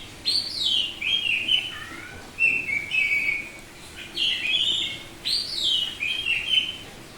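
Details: Semi-tame Bali oriental magpie-robin in vigorous ngeplong song: loud, varied phrases of descending whistles and warbles, each phrase opening on a very high note, repeated about every second with brief gaps.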